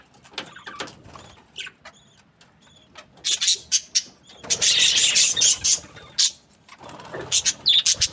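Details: Happy budgerigar chirping, with bursts of bright, high, scratchy chatter that grow dense and loud in the middle, broken by short pauses and scattered clicks.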